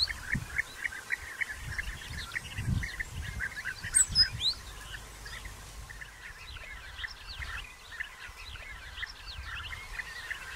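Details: European bee-eaters in early June 2021, during nest-burrow digging, courtship feeding and copulation, give a dense, overlapping chorus of short rolling, liquid calls, several every second, over a low rumble of wind.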